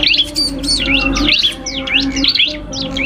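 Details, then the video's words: Common iora, called cipoh kristal, dueling with a prinia: quick bright chirped notes swooping up and down in tight bursts, with a continuous low droning hum beneath. "FULL DUEL SUARA Cibelk kristal VS prenjak"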